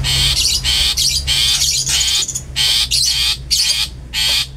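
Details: Long-tailed shrike 'toet toet' calling, played to stir other shrikes into vigorous singing: a loud series of eight harsh, grating bursts, each about half a second long, repeated almost without pause, over a faint low rumble.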